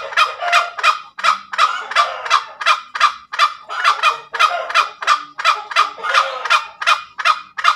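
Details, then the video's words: Junglefowl ngekek call from a tame bird: rhythmic, rough cackling notes delivered almost three per second without a break, clean background. "SUARA AYAM HUTAN NGEKEK SUPER MERDU"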